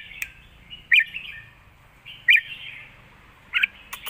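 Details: Red-whiskered bulbuls dueling in southern master-pattern song. Loud curling whistled phrases come about every second and a half, with softer warbling between them.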